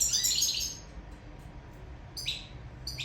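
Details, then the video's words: Sicilian European goldfinch in love: a dense burst of high twittering song at first, then near silence and a few sharp clipped chirps. "Favoloso canto cardellino siciliano in amore"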